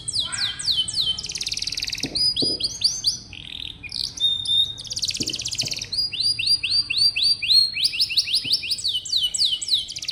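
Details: Canary song meant to get young, reluctant canaries singing: lively alternation of rapid descending whistled sweeps, buzzy rolls and clear tones, phrases changing every second or so, with a few soft clicks.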